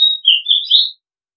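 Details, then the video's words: A single Oriental magpie-robin phrase: one continuous, loud whistle sliding down, wavering, then rising again, lasting about one second. "Oriental Magpie Robin Sound Long play เสียงร้อง นกกางเขนบ้าน"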